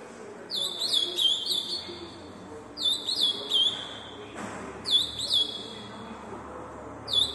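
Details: Fast-singing azulão, or Ultramarine grosbeak, kept for song tournaments. Rapid whistled phrases with slurred, warbling notes come in repeated bursts about every two seconds, with a soft low hum underneath.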